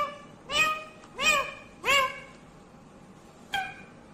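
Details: Indian ringneck green parrot uttering three quick rich harmonic word-like syllables in a row, then a short sharper fourth note after a pause.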